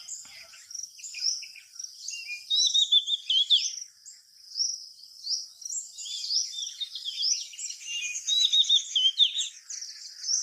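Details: A Seychelles magpie-robin, seen in a garden on 31 March 2025, sings rich, varied whistled phrases and chattering notes, high and quick, delivered in bursts with brief pauses throughout.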